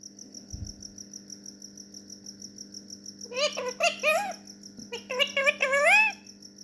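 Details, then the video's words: A yellow ringneck parrot (rose-ringed parakeet) talking, saying "mashallah" in two short bursts of high, nasal, word-like phrases with bending pitch, while a cricket chirps steadily throughout. "Yellow ringneck parrot talking mashallah"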